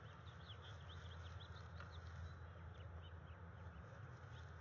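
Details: Female bald eagle at her nest on 30 January 2021, giving her routine call to initiate mating with her mate before egg-laying. A quick series of thin, high chirps runs in close succession over a steady low rumble of background noise.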